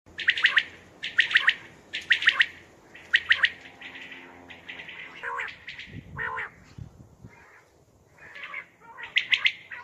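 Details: A common quail at night, recorded as a hunting call, gives its sharp, liquid three-note 'wet-my-lips' call about once a second, with rougher squawky notes and chatter in between.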